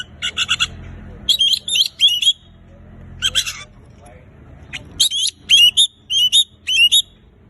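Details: Oriental magpie-robin song meant to stir silent birds into singing: raspy buzzing bursts, a pause, then clear whistled upslurs delivered in a rapid repeated series.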